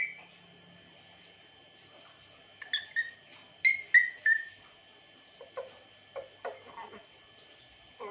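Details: African grey parrot whistling, a few clear descending whistled notes followed by shorter, lower, fuzzier calls spaced about half a second apart, in a quiet setting with a faint steady hum.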